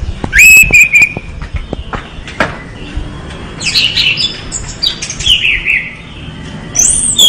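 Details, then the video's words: Orange-headed thrush singing vigorously: a loud whistled note with clicks, a quieter stretch, then twittering warbles and a rising shrill whistle at the end. "5 detik anis merah gacor"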